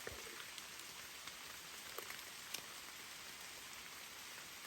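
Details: Soft rainfall with light drip taps throughout and a sudden loud knock at the very end, with no calling animal.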